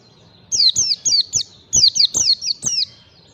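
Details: Ngalas-style white-eye song used to lure and train untrained birds: about nine rapid, piercing, high notes, each falling in pitch, delivered in two tight bursts.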